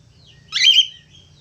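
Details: Budgerigar letting out a single loud, grating squawk of about a third of a second, with soft, high warbling notes before and after.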